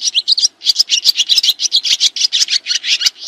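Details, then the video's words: Swiftlets twitter in a dense, unbroken stream of high, rapid chirps and buzzy trills, several notes each second, with no other sounds; used as a song-training master for kacer and murai. "SUARA BURUNG SRITI"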